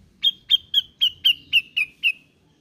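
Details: Grey-cheeked bulbul, sound played to prompt a reluctant bird into song; an even series of eight sharp, bright notes at roughly quarter-second intervals, each a short downward slur, the last one trailing off.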